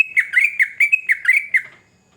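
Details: Sooty-headed bulbul, a vigorous 'gacor' singer, giving a fast burst of about eight bright, bubbly whistled notes in under two seconds, then falling silent; no other sounds intrude.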